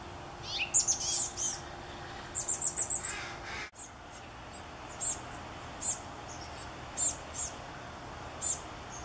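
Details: Chestnut-backed chickadee young begging from a gourd nest in the morning, hours before fledging. A quick run of about six sharp, high squeaky notes is followed, after a sharp click, by scattered single high chips every second or so.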